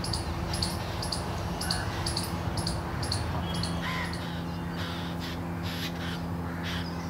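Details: Prematurely fallen Jungle Babbler hatchlings chirp for a parent's attention beneath a bamboo-thicket nest: quick, high, clipped notes in a regular series that thins out into scattered fainter calls, over a low hum.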